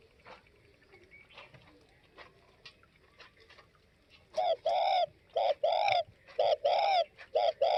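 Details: Spotted dove, Tây Bắc type: soft clicks and faint tapping for four seconds, then loud, clear cooing starts, short and long hollow notes alternating in brisk paired phrases.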